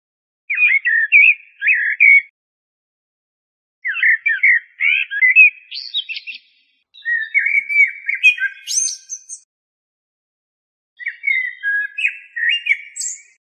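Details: Four fluty song phrases from a common blackbird (Turdus merula), each a run of rich, slurred whistles closing with high, thin twittering notes, spaced by pauses of about two seconds.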